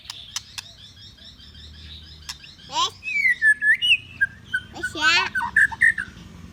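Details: Training song of a white-rumped shama: faint notes at first, then loud rising and falling whistled sweeps and rapid trills over a low background hum.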